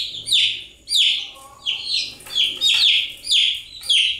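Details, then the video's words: Chicks chirping nonstop: loud, piercing peeps that fall steeply in pitch, repeated in close succession of roughly one to two per second, several birds overlapping. "Continuous Chirping sound of Chicks"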